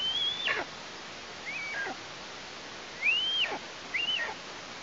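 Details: Fledgling female Eastern imperial eagle, Tatarstan, heard nearby but not yet back at the nest in mid-August 2023. Faint whistled calls, rising then sliding down, come irregularly, four in under five seconds, with two louder ones near the end.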